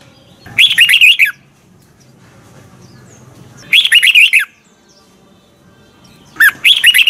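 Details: Red-whiskered bulbul used as a training bird for morning song, delivering three bright warbled phrases of quick looping whistles spaced about three seconds apart, over a low steady hum.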